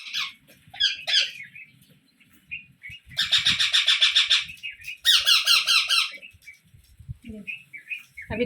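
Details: Baby parrot calling with scattered short chirps, then two long runs of rapid, raspy pulsed squawks, with low rumbling thumps in the background.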